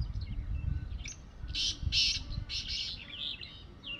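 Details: Black francolin, a young, active wild bird perched on mud on an evening: four rasping, broadband grating notes in about a second and a half, with lighter trailing notes after them, against steady low wind noise.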